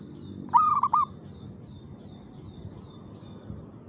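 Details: Perkutut, or zebra dove, at 5 pm in the afternoon; one short rolling coo phrase of several quick notes, followed by faint high chirps of another bird and low background noise.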